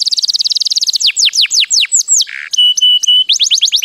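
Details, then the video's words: White canary in song: a fast pulsing trill, slower falling whistles, a low grating rasp, flat pure whistles with gaps, then falling notes again. "غناء كناري رسيسيف رائع Wonderful white canary singing"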